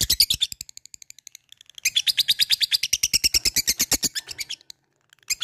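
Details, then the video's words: Labet in 'ngetik ngekek' fighter mode calling a rival: loud, fast ticking runs, pausing briefly, then resuming as a long, dense, high chatter before a short break and one more burst. "LABET memanggil lawan | ngetik ngekek fighter GACOR"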